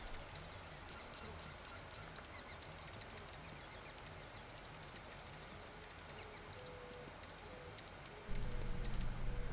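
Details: A male Peruvian Sheartail in September 2010 in the Atacama Desert valleys of far northern Chile sings to a caged female before a shuttle display: a rapid series of thin, very high, squeaky notes over a low rumble that grows louder at the end.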